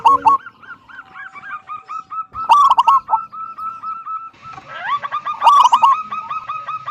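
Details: Frequent-singing local zebra dove, 'kung' style with a big voice, for drawing other doves into song. Dense overlapping cooing with several loud rattling bursts and continuous hooked coo notes throughout.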